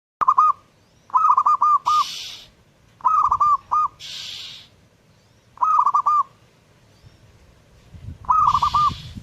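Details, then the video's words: Zebra dove (perkutut) delivering rapid, stammering coo phrases in quick succession, five bursts in nine seconds, interrupted by short bursts of loud hissing noise. "burung perkutut gacor"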